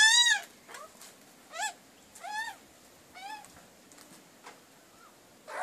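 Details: A backyard magpie visiting a wood heap for breakfast with its family gives a loud nasal squawk, then quieter arched, whining calls spaced about a second apart.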